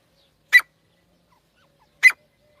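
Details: A partridge pair's calls: two short, rasping notes about one and a half seconds apart, clean and isolated with no other sounds.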